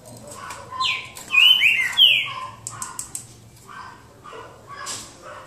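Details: Green-winged saltator singing boca mole style in a singing duel near João Monlevade: a brief run of clear, slurred whistles rising and falling, then soft clicks and faint background sounds.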